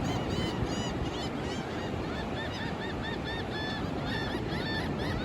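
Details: Sunrise on Daytona Beach, Florida, in March 2024, mostly sunny and calm: several gulls trade quick, ringing, downward-curving cries in overlapping bursts, while heavy surf roars underneath throughout.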